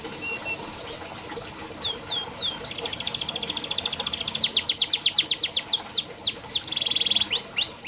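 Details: Canary singing as a master recording for lazy singers. After a quiet start, buzzy trills lead into a long train of clipped repeated whistles, with curved sweeps and another trill near the end.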